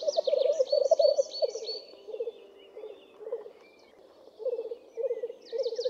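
Black grouse giving low, dove-like bubbling notes in short rolling bursts, roughly one a second, with higher chattering bird notes above.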